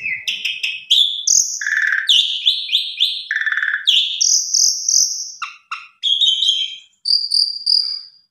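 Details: Javan pied starling lure song for triggering other starlings: clipped chips, then pulsing buzzy phrases, low slurred whistles and long high notes, with short breaks near the end.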